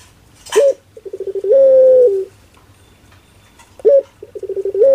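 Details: Barbary dove in the 'pelung' cooing style, called funny: an abrupt upswept note, rapid bubbling pulses, and a sustained even hoot, after which the yelp and pulse run start again, with a brief noise burst at the start.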